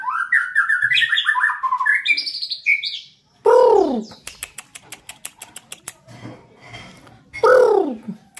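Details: White-rumped shama being trained as a fighter sings quick, tumbling whistled phrases for about three seconds, then loud harsh arched calls, a fast run of sharp clicks and another harsh burst take over.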